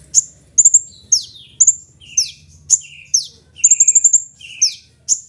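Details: Kolibri ninja sunbird singing with piercing high chirps, short falling slurs and lower buzzy descending notes, plus a rapid burst of five clipped notes near the end.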